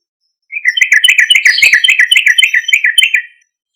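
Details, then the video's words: Loud gacor song of a sooty-headed bulbul, used as a lure to get other bulbuls to answer: a three-second burst of fast, bubbling chirped notes run close together, starting and stopping abruptly. "Suara Trucuk Gacor Keras"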